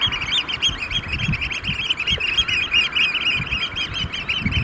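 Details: Eurasian oystercatchers, roughly 30 in a group, courting in cold rain and hail showers at a sand pit lake in Vriezenveen; busy chorus of shrill piping notes over constant low rumbling and thumping noise.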